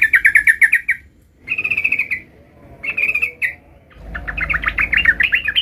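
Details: Young sooty-headed bulbul practising a rolling song: fast rattling runs of chirped notes, a pause, then more rolling trills and a jumbled, warbling phrase over a low background hum.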